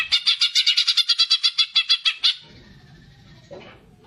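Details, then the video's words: A greater green leafbird's fighting song, meant to stimulate young or trainee birds: a steady, rapid rattle of about fifteen harsh, reedy notes lasting two seconds, then near quiet with a faint low hum. "cucak ijo gacor figter cocak untuk pancingan burung bahan ombyokan atau muda"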